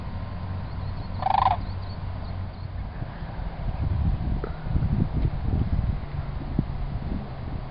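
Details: Sandhill crane at Celery Fields: one short, loud rolling rattle with layered harmonics near the start, then quiet, with steady low rumble and scattered low thumps throughout.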